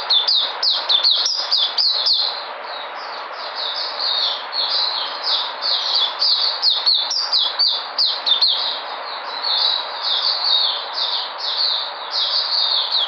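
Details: White-eye coming back into energy, 13 February 2020, singing a long, continuous high-pitched warble of rapid slurred chirps that runs without pause, busiest in bursts near the start and middle.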